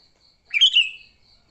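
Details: Sooty-headed bulbul in a fighting mood, recorded for luring other bulbuls: one short bubbly phrase of quick chirpy notes sliding down, over a steady faint high whine.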